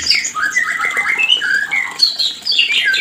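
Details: White-rumped shama mating call to stimulate breeding; quick warbled whistles and harsh chatter, rising and falling, packed into a continuous burst.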